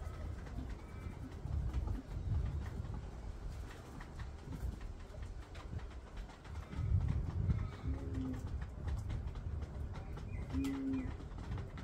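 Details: Male Common Bronzewing flirting with a female in a backyard one afternoon, young Red-capped Parrot bathing nearby; low rumbling growl-like noise throughout, with two short, deep hollow 'oom' notes near the end.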